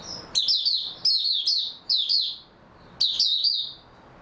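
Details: Oriental white-eye, dated 03-03-2022 after a good night's sleep: a few separate high, sweet, rapid chirp phrases, each under a second, with short pauses between.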